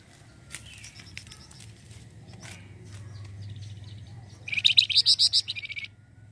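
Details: Lure recording of a flamboyan bird singing to attract other birds. After several seconds of faint rustling and scattered ticks comes a loud, rapid chattering trill of a dozen sharp notes near the end.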